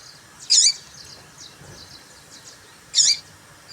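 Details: Female papa-capim seedeater call used to stir up males: two loud, piercing high chirps about 2.5 seconds apart, with faint soft twitters in between.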